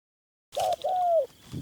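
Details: Captive decoy Spotted Dove used in hunting to lure a wild male into a trap, giving one coo: a short soft note followed by a longer, smooth, mellow hooting note that falls slightly at the end.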